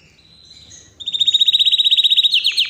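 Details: A Yorkshire canary sings a powerful, nonstop song: soft high notes lead into a loud, fast, even trill of rapidly repeated notes, ending in a few sharper descending chirps.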